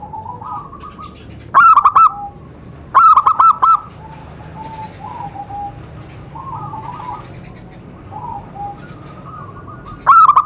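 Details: Zebra dove of a local wild line calling beside a DIY trap, three loud clusters of rapid coos spaced a few seconds apart, with murmuring distant doves and faint chirps filling the pauses.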